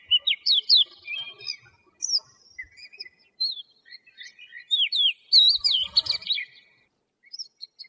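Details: Singing lark delivering scattered clusters of sharp, high slurred notes with brief pauses, then a short silence before a few final chirps.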